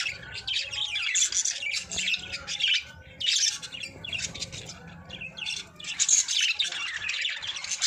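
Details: Pairing budgerigars chattering in a breeding setup, a continuous mix of scratchy chirps, warbles and short squawks from several birds, with brief lulls between louder bursts.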